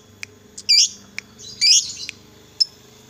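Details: Fighter lovebird used to provoke other lovebirds: two harsh, squeaky chirp bursts with a few sharp ticks, over a low background hum.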